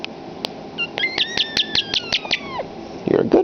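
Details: Pet common starling that loves to talk, mimicking human speech indoors: sharp clicks followed by a run of quick repeated whistled notes with a long falling whistle at the end, then a couple of rougher voiced sounds.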